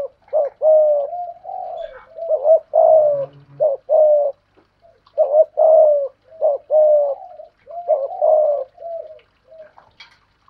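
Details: Decoy spotted dove in 'thổ pha thúc' voice cooing in a duel with a wild dove: a long run of husky, slightly falling coo notes in irregular groups, a short low thud near three seconds, quieter notes trailing off at the end.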